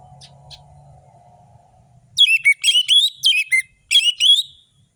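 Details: Orange-headed thrush song in a fast-tempo lure recording meant to make lazy birds sing: after two seconds of quiet, a loud burst of sharp, warbled whistled phrases with quick up-and-down notes, over a steady low hum.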